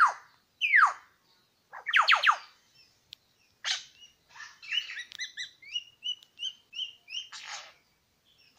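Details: Two male Superb Lyrebirds at Lookout Point, New England National Park. The singing is varied: loud sweeping downslurs give way to quick chirps and a run of short, rising, whistled notes repeated in a rhythmic series, set against a quiet background.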